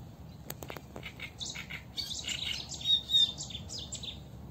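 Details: Eurasian reed warbler singing along the Sarno River, recorded live: a few sharp clicks open, then a dense chattering run of scratchy, high, quickly repeated notes over a low rumbling background.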